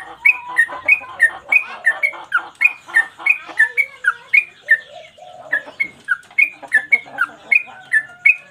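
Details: Yellow-vented bulbul in lively song for training cage birds, repeating one phrase: quick whistled notes stepping high then lower, about three per second, with a short pause midway and soft underlying chatter.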